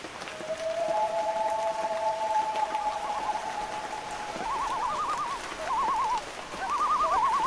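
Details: Loon with a long, steady, drawn-out wail first, then a series of short quavering tremolo phrases, over a steady background hiss.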